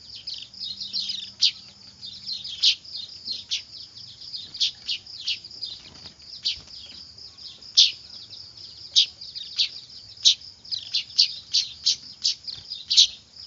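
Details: Noisy weaver chicks, a recording used as a lure for trapping birds: dense, high, thin chirps and squeaks, many overlapping, with sharper louder notes bursting out about every second over a constant chattering background.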